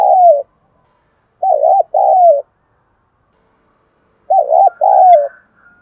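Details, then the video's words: Spotted dove cooing in the 'thúc đấu' challenge style, used to lure wild birds: three low, mellow coos, each a short quavering note then a longer falling one, spaced by gaps of about two seconds. "Thuc dau dong pha - kích bổi hiệu quả"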